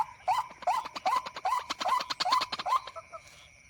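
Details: At night a white-breasted waterhen responds to a recording played to lure it during a hunt, giving a rapid chain of nasal, upslurred notes roughly every 0.4 seconds that trail off into softer ones.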